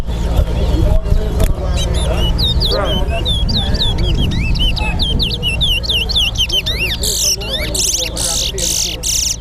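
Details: Chestnut-bellied seed finches (towa towa) at a bird singing competition in Lusignan, Guyana, sing fast, varied runs of sweet whistled and slurred notes, with low crowd murmur and voices underneath.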